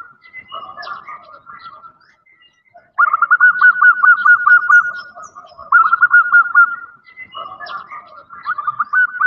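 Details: Female zebra dove calling a male, used as a lure: soft, scattered coos, then two long fast rattling runs of rolling notes, followed by quieter coos that build into another rapid series.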